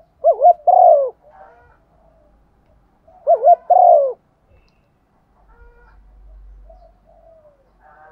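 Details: Female spotted dove 'gáy gọi' lure call: two wavy-then-drawn coo phrases roughly three seconds apart, followed by faint soft coos and a low rumble near the end.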